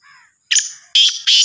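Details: Black francolin, Sindhi kala teetar type, also labelled Sahiwal teetar: three loud, harsh, grating notes, each a broad buzzy burst about a third of a second apart, after a faint thin note at the start.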